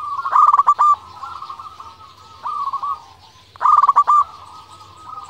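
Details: Zebra dove of a local strain calling persistently as a lure that makes rival doves respond: three bursts of fast, pulsing coos, the middle one softer, over a continuous quieter cooing background.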